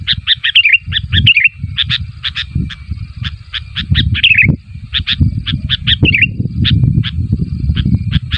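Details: Sooty-headed bulbul calling for other bulbuls to respond, pouring out quick chirp bursts broken by several wavering, descending warbled phrases, accompanied by continuous low rumble.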